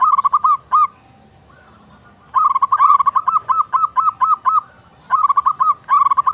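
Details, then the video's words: Melodious song of a local zebra dove: a rapid rolling coo, a long pause, then a run of evenly paced, arched notes ending in another quick roll. "Suara perkutut lokal merdu syahdu"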